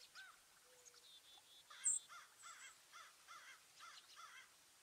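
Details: Backyard birds at feeders, New Jersey, USA, 5 April 2024, partly cloudy and cool, the day a 4.8 magnitude quake hit; a brief nasal note, then a run of about six rough, rasping caw-like calls, with one sharp click.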